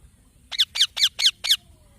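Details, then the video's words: Five evenly spaced, rasping chirps from a green baby parrot, delivered about four per second in one short series. "Green Baby Parrot Chirping Sounds"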